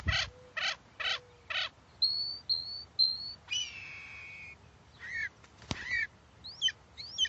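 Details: Phainopepla calling: a few buzzy clipped notes, then short thin upslurred whistles repeated about twice a second, a longer harsh layered note, and a few sharp high chirps to finish.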